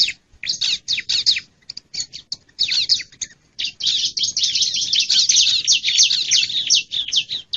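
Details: Bar-winged prinia, wild, in a lure recording meant to pull in wild birds: dense scratchy chattering that builds from spaced chips into a continuous rapid harsh stream.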